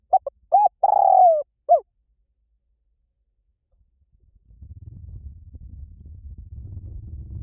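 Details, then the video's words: Spotted dove playback meant to draw a trained dove into singing back, หลิ่วตัน song style. One phrase of quick short coos, a long descending coo and a closing note, followed by silence and then a low rumbling noise. "สำหรับเปิดล่อนกเขาใหญ่ฝึกต่อ ให้ขันโต้ตามเสียงนกเขาใหญ่หลิ่วตัน"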